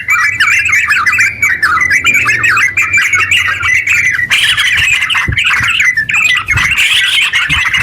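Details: Yellow-vented bulbul singing energetically in a long rapid run, played to provoke other bulbuls into song; continuous chattering warble, then a harsher, buzzier stretch midway before the babbling resumes.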